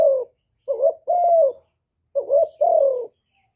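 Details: Spotted dove singing in the hạp bổi voice, meant to rouse decoy birds; a trailing coo, then two phrases of a brief rising note followed by a sustained, slowly falling coo, quiet background.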